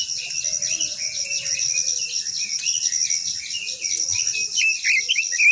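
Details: Japanese white-eye, known locally as quế lâm, singing in a long-voiced style. A rapid, continuous high warble of twittering notes runs throughout, over a steady high insect-like hiss and a few faint low sounds.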